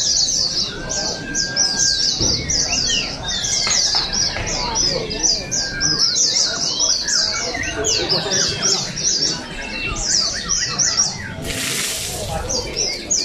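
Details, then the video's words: Oriental white-eyes at the 2023 Pesta Bederun Balingian singing contest in Sarawak chatter in dense, high, rapid phrases, with long flat whistles, a sudden short noisy burst near the end, and people talking. "Juara Pleci | Pertandingan Seni Suara dan Gaya Burung Terbuka Sarawak Pesta Bederun Balingian 2023"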